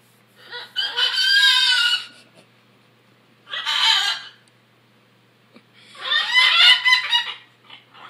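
Macaws give three loud, harsh, raspy squawks, each one to two seconds long, spaced a couple of seconds apart. Nothing else stands out.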